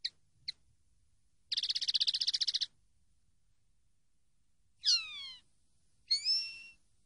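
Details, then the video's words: Common linnet song on a training recording: two quick chips, then a dense buzzy trill of about a second. Two drawn-out whistled notes follow, the first sliding downward and the second rising then level. "CD CANTE DE PARDILLO 123"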